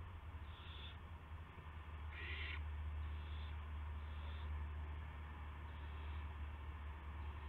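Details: Owl at 8 PM on March 18, 2016, during a gopher delivery to its mate: several short breathy hisses, one loud rasping burst near the middle and fainter ones around it, set against steady low droning hum.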